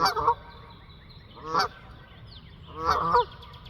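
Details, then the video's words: Three loud, buzzy honks from geese on the wing, the last one drawn out longer than the others, with quieter calling faintly in the background. "Geese honking and flying"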